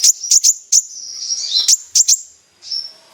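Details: Energetic kolibri ninja sunbird song for luring other sunbirds: separate sharp, very high chips spaced about a third of a second apart, joined by thin high trilling, ending in a soft sustained high note.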